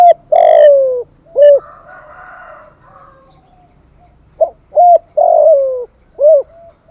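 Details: Spotted dove urging and calling coos used to rouse a decoy bird. Two matching phrases of deep, mellow cooing, each a short note, a longer downward-sliding coo, then a clipped coo. A faint higher murmur follows the first phrase.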